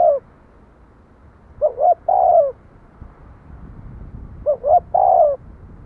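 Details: Spotted dove repeating its phrase roughly every three seconds: two quick rising hoots, then a longer falling coo. Soft, mid-pitched, over faint low-frequency noise.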